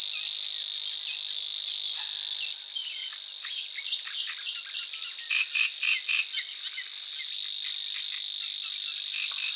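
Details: A Savi's warbler (Locustella luscinioides), a European bird, gives a steady, high, insect-like reel that runs without a break, while other birds add scattered chirps and short calls.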